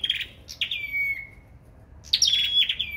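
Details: Sâu đầu đỏ bird in competitive song: a burst of sharp high notes trails into a long, thin whistle gliding gently downward. After a pause a second burst of bright, buzzy notes follows.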